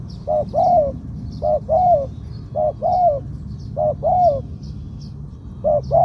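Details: Spotted dove with a two-'kuk' phrase ending in a drawn-out 'koo-ang', in a medium voice, kept as a candidate ground decoy bird. Mellow double-note coo phrases repeat about every 1.2 seconds, five times, with faint high chirps of small birds behind.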